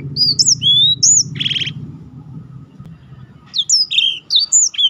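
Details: Black-throated canary song meant to set off other birds and act as a tutor: bright whistled notes and slurred sweeps, a brief buzzy burst, a quiet pause, then renewed high chirps.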